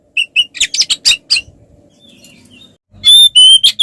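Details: Kacer, or oriental magpie-robin, singing its fighting song to provoke others: a run of quick chirped and whistled notes, a brief lull, then loud ringing whistles rising and falling.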